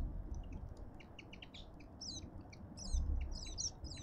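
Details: Cut-throat finches at a feeder in a suburban Pretoria garden, South Africa, keep up dense, overlapping high chirps and twittering notes, growing busier toward the end, over a low background rumble.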